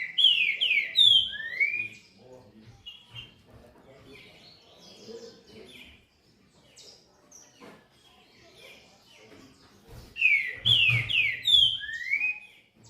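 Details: Double-collared seedeater singing at dawn, around 5:40 in the morning: rapid runs of sharp, slurred, descending whistled notes come in two bursts at the start and end, with low human speech in between.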